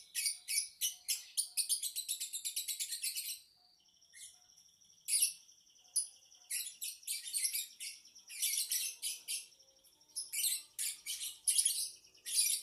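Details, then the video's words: Lovebird song opening with a rapid string of sharp, clicking chirps, then a thin held whistle, then renewed bursts of shrill, scratchy twittering. "Kicau Lovebird | Ocehan burung Lovebird"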